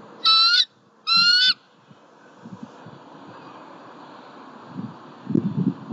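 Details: Bald eagle in southwest Florida, the female calling loudly at the nest tree on an October 2019 afternoon after the male delivers a squirrel. Nest cam. Two short, high, chattering bursts a second apart, then low rumbling background noise.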